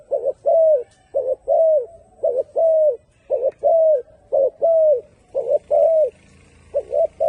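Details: Repeated turtle dove coos, a short note then a longer downslurred tone, about once per second for several seconds, fairly loud and close.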